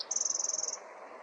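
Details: A spotted towhee at Wind Canyon, Theodore Roosevelt National Park south unit, gives a fast, dry, high trill of about sixteen even notes in under a second, over faint background hiss.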